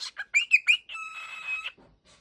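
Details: Waking pet cockatiel gives a run of quick rising chirps that merge into a long, level, raspy screech, then trails off into quiet.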